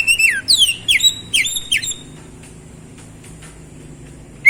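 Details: Oriental magpie-robin song meant to get a silent bird singing again: two seconds of loud, high, rapidly repeated whistled notes sweeping downward, then near silence with a single sharp whistle at the end.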